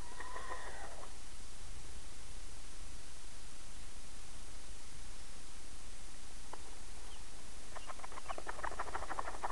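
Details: Rhode Island Red and Red Leghorn mix chicks, out of the brooder for the first time to take a dust bath; short, rapid, soft peeps come in bursts at the start and near the end over a steady hiss.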